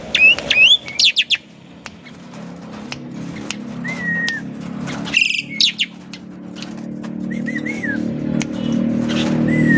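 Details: Kept Asian pied starling, a very vocal bird from a private collection, singing as a lure to set others off: scattered sharp chirps early, then slurred whistles repeated at intervals, with rising background noise toward the end.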